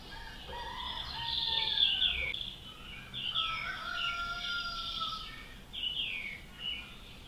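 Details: Nightingale song: varied phrases of clear whistles, buzzy trills and sliding notes, delivered in bursts over a noisy outdoor background.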